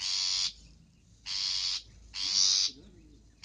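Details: Long-tailed shrike call for luring birds: three long, grating, broadband rasps, evenly spaced under a second apart, with faint low background noise between them.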